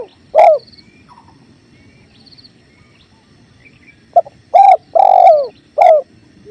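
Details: Spotted dove over a clear river's flow, used as a training recording; one deep coo early, then a phrase of a short note, two longer throaty coos and a final slurred coo after a quiet pause.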